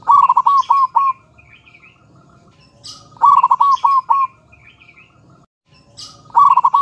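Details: A male and a female local Zebra dove coo in mellow, rolling phrases of four or five quick notes, repeated about every three seconds, with faint high chirps from other small birds.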